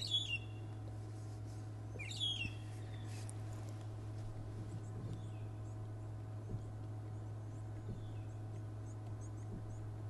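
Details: Two soft, slurred whistles from a magpie shrike (long-tailed shrike), about two seconds apart, on a July morning game drive at Djuma Game Reserve, South Africa, over a steady engine drone and faint distant birds.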